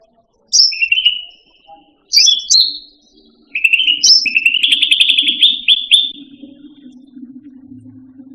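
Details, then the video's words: Cucak rante, a pet songbird, giving tutor song: high piping notes lead into long rapid whistled trills rising slightly in pitch, over a faint low hum that continues after the song stops. "Suara Burung Cucak Rante"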